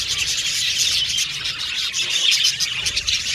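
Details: Budgerigars chirping together: a packed, high-pitched twittering with buzzy trills and squeaky notes from many birds, steady throughout, over a faint low rumble.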